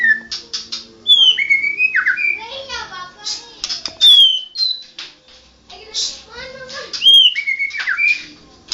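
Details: White-rumped shama, a national champion bird, delivering a varied song of clear whistled slides, sharp high notes and buzzy chatter, in bursts separated by short pauses, recorded indoors with a faint hum behind.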